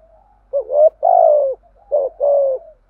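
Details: Spotted dove cooing in a thổ-style voice, used to rouse a decoy bird: short coo notes then longer throaty coos around low-mid pitch, in two paired phrases with brief pauses, clean with no other sounds.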